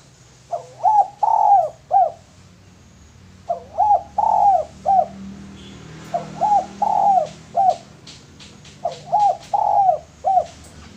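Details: Male spotted dove used as a lure, cooing four times: each phrase is two or three quick, hoarse low notes then a longer swelling coo and a short closing note, repeated about every three seconds, with faint clicks behind.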